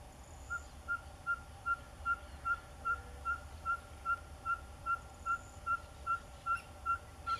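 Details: Ferruginous pygmy owl calling with a steady string of clear, single-pitched whistled notes, evenly spaced at roughly two and a half per second throughout, with faint higher chirps from other birds and background hiss.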